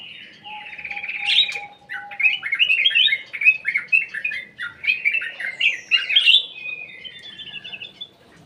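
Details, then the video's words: Ruby-throated bulbul (cucak emas) lure song from an aviary: a long, energetic run of rapid, rollicking whistled phrases, bubbling and slurred, with a thin steady tone briefly at the start. "PANCINGAN CUCAK EMAS \ KUTILANG EMAS"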